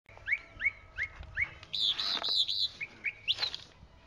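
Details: Chalk-browed mockingbird singing: a run of rising, hooked whistled notes repeated about every third of a second, then a burst of harsh, buzzy chattering phrases and a few more upslurred whistles.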